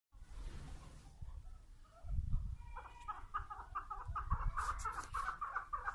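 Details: Female chukar partridge calling: a quick run of short clucking notes in regular rhythm that starts after a quiet low rumble and grows slightly louder toward the end.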